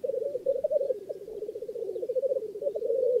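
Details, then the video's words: Close, loud black grouse rookooing at a northern England lek, a dense rapid bubbling and gurgling pulse that swells and fades in short waves without pause. "Black Grouse Lek"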